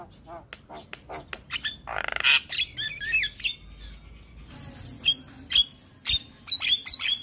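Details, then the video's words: Black-winged starling of the white-eyed type, a champion singing bird, in a morning tutoring recording full of fill-in phrases: harsh squawks, clicks and sharp whistles in an irregular burst, then a run of bright whistled chirps. "Masteran Jalak Kebo Full Isian Tayang Setiap pagi - Jalak kebo Mata Putih Juara Kicau"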